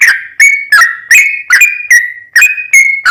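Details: Sooty-headed bulbul in 'trucukan' style, a long rapid 'ropel' run used as a lure to provoke another bird into singing: bright whistled notes near one pitch, each opening with a sharp click and sliding down, about eight in three seconds.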